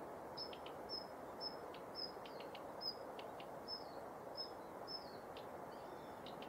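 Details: Female Daurian redstart on a November morning at Yanagishima Beach, Japan, recorded with a Nikon COOLPIX P1000: a regular series of high, slightly downslurred whistles alternating with sharp clicking ticks, about two per second, over low surf-like rumble.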